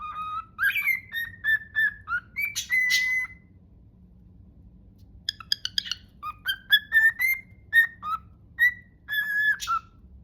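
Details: Cockatiel whistling the tune from Totoro: two phrases of clean whistled notes, some sliding, separated by a short pause filled with quick clicks and chirps before the melody resumes.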